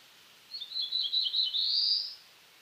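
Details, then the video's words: Black-throated blue warbler (Setophaga caerulescens) of eastern North America: a buzzy song of several short notes around a steady pitch, ending in a drawn-out, rising buzzy note, about one and a half seconds long. "Black-throated Blue Warbler Song"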